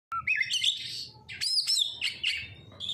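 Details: Oriental magpie-robin (kacer) lure song for prompting birds to sing vigorously: a clear rising whistle opens, then a dense run of sweet, warbled, high whistles and slurred notes with brief pauses.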